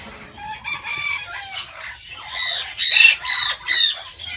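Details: Guinea turaco incubating at a breeder; starts with softer nasal notes, building to loud, harsh, repeated squawks in a pulsing rhythm of about two per second.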